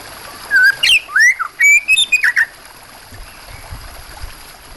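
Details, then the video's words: White-rumped shama singing over a background of water sounds: a loud burst of clear whistled notes and sweeping slurs, rising and falling, packed into about two seconds, then only a soft watery hiss. "Suara burung kacer plus suara air terbaru"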